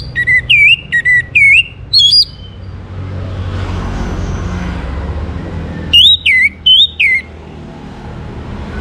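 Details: Orange-headed thrush song meant to prompt other birds to sing: a run of loud, looping whistled notes, then a pause of about three seconds, then another burst of similar swooping whistles.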